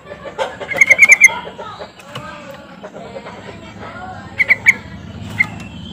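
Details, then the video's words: Sooty-headed bulbul call played to draw reluctant birds into song: a run of quick bright notes, then a shorter burst later, over a busy background of faint chirps and murmuring. "pancingan trucukan ini benar AMPUH bikin trucuk macet langsung auto gacor"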